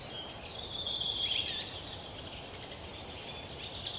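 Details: European pied flycatcher nestlings in a tree-hole nest in an old woodpecker hollow, fed by parents, Yekaterinburg forest park, late June 2018: thin, high squeaky calls running almost continuously in a fast, uneven stream, with a soft background hiss.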